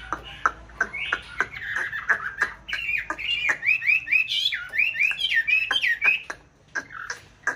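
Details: Aviary-kept white Chinese hwamei of a breeding pair in a mountain town, delivering loud whistled song: short sharp notes, then a long string of looping, wavering whistles repeated rapidly before ending in clipped chirps.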